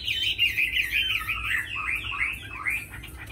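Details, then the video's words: Captive tame Chinese hwamei producing a fast, bubbling string of warbled whistles that drift gradually downward in pitch, delivered without pause. "Mi thuần đấu tốt hót hay"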